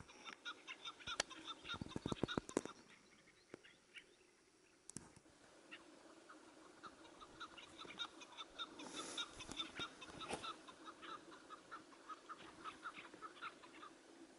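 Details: Partridge calls during a hunt with a tethered decoy bird: a steady run of short, chirping notes repeated rapidly, with loud clicks and rustling handling noise early on and a brief burst of broadband noise midway.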